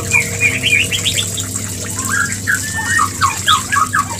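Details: Mating lure of a white-rumped shama: rapid, jumbled whistled and chattering notes, a dense cluster at the start, then louder downslurred whistles repeated near the end, over low hum and hiss.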